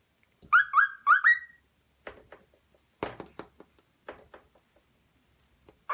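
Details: A 4-month-old pet cockatiel imitates human speech, "what are you doing?", with whistled, rising syllables followed by soft scratchy chatter.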